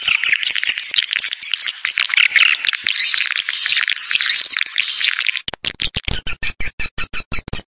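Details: Swiftlet lure sound known as escape: loud, dense, high chattering twitters forming a continuous stream, then broken into sharp rapid clicks with short gaps.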